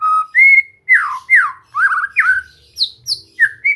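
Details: White-rumped shama song for relaxed training toward steady singing: a level whistle and a rising note, then loud down-swept slurs and a warbled phrase, finishing with thin high sliding notes.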